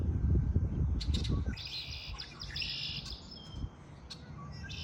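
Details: Spring bird song: a few sharp chips, then a long, rich twittering phrase lasting about two seconds, and a faint later phrase, over a low rumble that is loudest at first.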